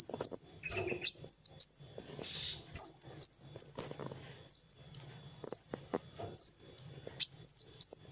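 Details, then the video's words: Kolibri wulung sunbird singing a training song for other birds: sharp, high, swooping whistles repeated in quick pairs and runs, with faint clicks and a low hum beneath. "SUARA BURUNG MASTERAN Kowul (Kolibri Wulung) GACOR"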